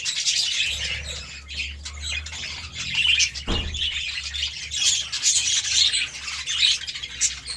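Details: While eating seeds and vegetables, a group of budgies keeps up rapid, overlapping chirping and warbling, punctuated by a single sharp knock near the middle, over a soft steady hum.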